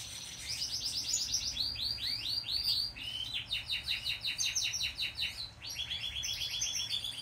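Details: One-day-old yellow Isabel canary chick begging while being hand-fed. Rapid, high, scratchy chirps tumble in quick runs, several each second, with a faint background hiss.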